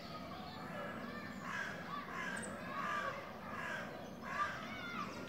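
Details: Young Eurasian nuthatches, grown and ready to leave the nest, at La Poudrerie on 28 May 2018; harsh, buzzy calls repeated about once a second over steady background hiss.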